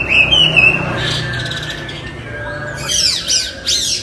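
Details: Chinese hwamei giving a couple of short whistled notes, then a quiet pause, followed by three loud, sharp rising-and-falling whistles near the end.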